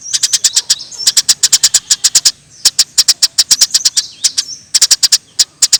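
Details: Energetic Eurasian tree sparrow, for training songbirds, gives bursts of rapid high chirps separated by short gaps. A few thin whistled notes slip in between the bursts.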